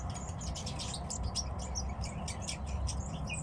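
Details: Tits kept by their owner give a rapid run of thin, high chirps and twitters, packed closely together throughout, with a constant low rumble underneath.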